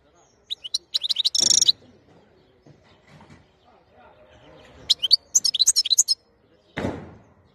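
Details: Wild-type (khlawi) European goldfinch recorded in 2021, singing two bursts of rapid, high, tinkling twitters about four seconds apart. Short sharp knocks sound between and after the phrases.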